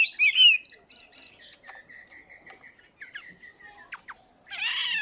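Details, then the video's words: Chinese hwamei, caged for two months, practising its voice in the morning: a short loud whistled phrase opens, then soft repeated chirps and clicks, and a harsh burst at the end, with a constant thin high whine behind. "Chim Hoạ Mi Mộc VIP 2 Tháng Lồng Luyện Giọng"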